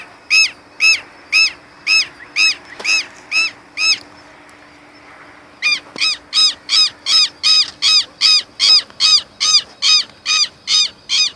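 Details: Southern lapwing in Brazil giving loud, harsh, ringing notes: a series of about eight, a short pause, then a quicker run of nearly twenty.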